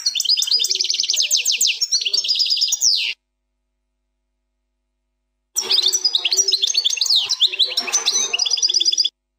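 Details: Error-free European goldfinch song in the plak mine style: a long passage of evenly repeated, sharp rising notes ending in a downslurred flourish, then a pause and a second burst of dense, varied twittering.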